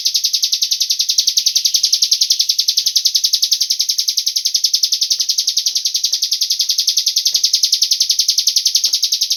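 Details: Cigun bird lure for coaxing other birds to sing: a long, unbroken trill of bright high chirps repeated quickly and very regularly, scattered faint tapping sounds behind it.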